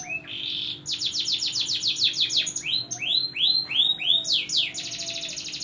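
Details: Vigorously singing canary, used as a lure to prompt silent canaries to sing: high, bright song of rapid repeated downslurred notes in quick series, shifting between trills and arched whistles, with a brief buzzy note near the start.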